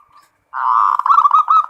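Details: Local zebra dove singing in the full ngerot style said to excite breeding drive: after a short silence, a loud sustained rolling trill that turns into brighter, quick, bouncing notes.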